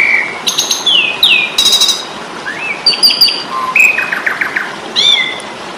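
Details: Asian pied starling giving aggressive fighting song for cagebird training: downslurred whistles and harsh grating notes at the start, then rising whistles and a quick series of short repeated chips, ending with a bright upslurred phrase.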